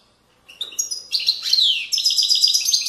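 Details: Widani-style European goldfinch song, Moroccan valleys, 2020. Begins with scattered high ticks, then builds into rich buzzy twittering with a long down-slurred sweep and a steady, rapid trilled run to the end.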